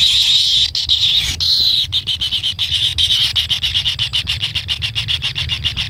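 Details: Nestling kingfishers wait for a parent to bring food and beg with harsh, hissing churrs. The churrs start as a steady rasp, then break into quick regular pulses of about four per second that run on to the end.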